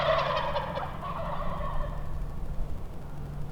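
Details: Wild turkey flock gobbling on Nebraska public land during a hunt, one bird about 100 yards away and the far end about 200 yards off; a long loud rattling gobble fades out over the first two seconds, steady wind hum beneath.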